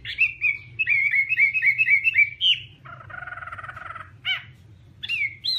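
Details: Chinese hwamei whistling a chain of rhythmic, repeated slurred notes, then a low rasping chatter for about a second, followed by a few sharp upswept notes.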